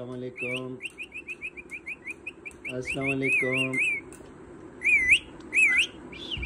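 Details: Pet parrot that speaks different words and is eager to learn more: a rapid run of short high whistled notes, then low harsh voice-like syllables, then wavering rising-falling whistles.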